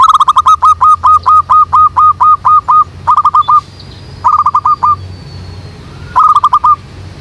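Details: Zebra dove calling as a trapping lure from a jackfruit tree behind a house: a long even run of about a dozen clipped coo notes, then three shorter rapid bursts after pauses, with a thin high whistle from another bird.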